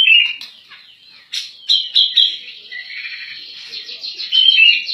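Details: Grey-cheeked bulbul (cak jenggot) giving a 'gacor nembak' master song for training birds: opening chirps, a series of sharp emphatic shrill notes around the middle, then a building stream of rapid high warbling chatter.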